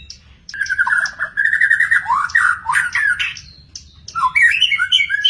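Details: Magpie-robin in the wild delivering a continuous, varied song of rich warbled and whistled phrases, rising and falling with harsh squeaky notes, a brief pause near four seconds, then higher twittering phrases; faint low rumble beneath.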